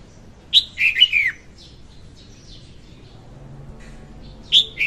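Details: Singing female red-whiskered bulbul, a recording used to trap birds: one jaunty phrase of three or four quick whistled notes with a falling end, a long pause, then the first note of the next phrase.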